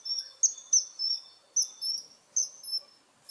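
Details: Kingfisher uttering sharp, very high whistles in loose pairs and trios, some notes slightly longer and falling away, spaced by brief silences, with little other sound.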